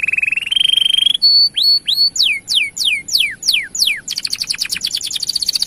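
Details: Long canary song to get male canaries singing: a steady rolling trill stepping upward, clear upslurred whistles, several deep descending sweeps, then a dense high trill.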